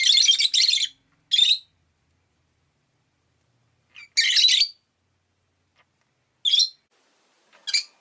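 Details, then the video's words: Rosy-faced lovebirds, five kept in a cage beside a window, calling in changeable sunny and rainy weather: harsh, squawky high chirps in short bursts of up to a second, separated by silent gaps of one to two seconds. "Lovebird Chirping Sounds"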